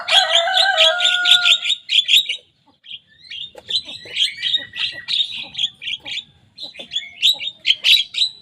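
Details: Javan myna, a young bird, mimicking rivals' songs: a burst of rapid scratchy chatter with lower whistled tones, a short pause, then choppy squeaky phrases that resume and repeat.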